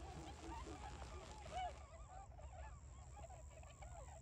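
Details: Early-winter Tundra swans fresh from migration in rice fields by Ochigata lagoon, Hakui, November 2022; a couple of loud honks followed by a rapid string of overlapping arched bugling calls from the flock, with low rumble beneath.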